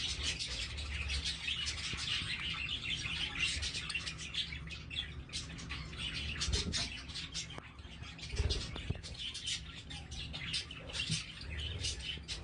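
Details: Budgerigars with chicks: dense, continuous high chirping and twittering chatter from several birds throughout, with a steady low hum underneath.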